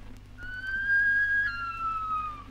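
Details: A Bush Stone-curlew, recorded in Australia, gives one long, mournful whistle that swells slightly upward and then slides slowly down, over a faint low hum.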